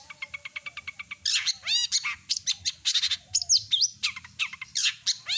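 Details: Mimicking long-tailed shrike opening with a fast train of evenly spaced harmonic notes, then loud bursts of rising and falling whistles, buzzy chatters and sharp chips borrowed from other birds.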